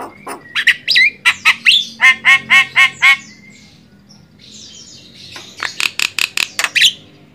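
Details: Javan myna (jalak kebo) song used as a master for training songbirds: sharp squawks leading into a regular row of ringing whistled notes, then harsh chattering bursts over a low background hum.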